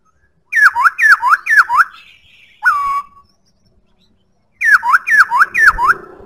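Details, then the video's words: White-browed laughingthrush song: a fast run of four looping, slurred whistles, a single long flat whistle after a pause, then another burst of four looping whistles; quiet background otherwise. "Khướu bạc má hót cực hay"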